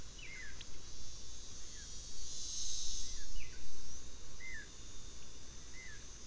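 Swallow-tailed kite giving thin, high, down-slurred whistles, one roughly every second. A steady insect buzz and low background rumble are heard.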